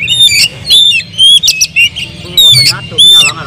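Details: Oriental magpie-robin, or kacer, singing with full emotion as bait for other birds: loud clear whistles alternating with short scratchy bursts, about two phrases per second, with a low droning background.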